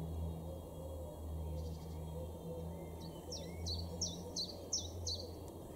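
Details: A Common Chiffchaff in a garden in Weener, East Frisia, northwest Germany, in April 2022, sings a short run of about six high, clipped, down-slurred notes at a steady pace, over a constant low hum of distant traffic.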